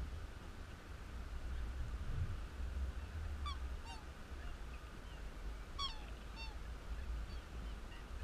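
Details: Black swan at Yerrabi Pond, Gungahlin, Canberra, Australia, giving two pairs of high, bugling, slightly wavering notes a couple of seconds apart, over a steady low rumble of wind or distant traffic.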